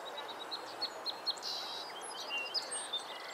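A Song Sparrow sings a quick run of short, high notes, a brief buzzy burst, then a few more chips, over a steady wash of background noise.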